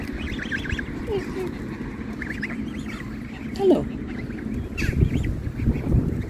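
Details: A large flock of geese leaving the water to search for food gives short, harsh honking calls at scattered moments over a steady rumble of water and wind, with human speech faintly in the background.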